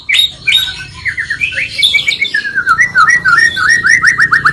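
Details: Two magpie-robins' songs mixed to provoke and excite caged magpie-robins: a run of quick downward-slurred whistles repeated about three a second, then rising clear notes, over faint squawky chatter.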